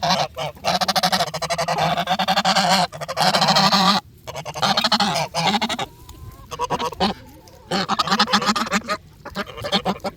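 Geese honk loudly and almost continuously, several birds calling over one another in harsh, nasal bursts with brief pauses between volleys.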